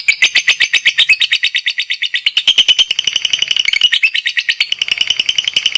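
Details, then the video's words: Caged competition lovebird in active ngekek chattering: a continuous fast stream of harsh, buzzy notes, loud and steady at first, then quicker and slightly softer toward the end. "LOVEBIRD NGEKEK DAN NGETIK AKTIF JOSSS...."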